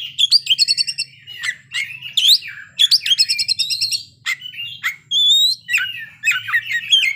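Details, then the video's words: Oriental magpie-robin (kacer) singing with full isian: fast repeated chip trills, chattering bursts and long sweet whistled notes alternate in a lively, varied stream over a low hum. "kacer ngeplay bongkar isian"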